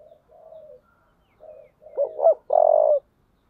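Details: Spotted dove giving a fighting call in the low 'giọng thổ' voice style: soft, low coos, then two quick looping notes and a loud, drawn-out final coo.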